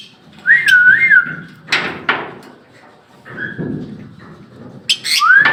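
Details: Pet lovebird in Bangladesh giving whistled notes around a steady pitch, a wavering whistle near the start and a rising one at the end, broken by broad clattering noises, with faint music in the room.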